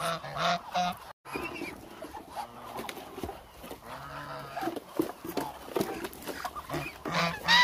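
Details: A large flock of about 1000 hungry Muscovy ducks calls over one another in short, nasal, honking notes in quick, uneven bursts, with general flock noise behind.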